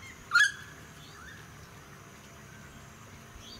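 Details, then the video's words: Noisy friarbird (Philemon corniculatus) in a suburban area, Sunshine Coast, Queensland, May 2018, with wind and suburban noise: a short, harsh, raucous note, a long gap with a faint softer note, then a second loud burst cut off. "Noisy Friarbird"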